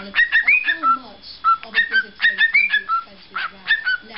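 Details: Pet parrot, male, whistling his try at the "Pop Goes the Weasel" ending, and not always getting it right: clipped whistled notes in quick irregular runs, mixing steady tones with brief rising slurs.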